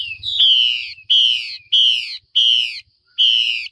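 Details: Female Chinese hwamei call meant to rouse males into varied singing: five loud, harsh, slurred descending notes, each about half a second long, repeated at fairly even intervals.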